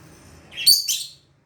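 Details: Lovebird at play in front of a mirror gives a brief pair of sharp, high-pitched squeaky chirps, the second slightly longer, against near silence.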